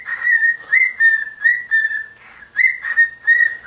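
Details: Pet bird, male, swinging and singing at a shoe, which sets him off: loud whistled notes held at one pitch, delivered in quick bursts about every half second, with one short quieter pause.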